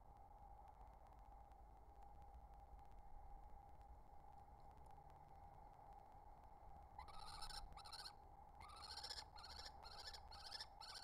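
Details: Wild kestrel, a male feeding his mate at the nest: after seven seconds of a steady low hum, rapid bursts of harsh, stacked, repeated notes arrive in quick clusters over the last four seconds, fairly faint.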